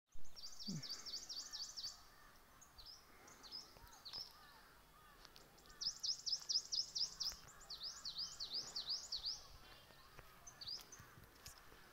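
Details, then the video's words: Birds singing in a forest at Achabal, Kashmir: bright, high-pitched song in quick, sawtooth-like trills, delivered in bursts of one to two seconds, with quieter chirps from other birds behind. "Birds chirping in the forest"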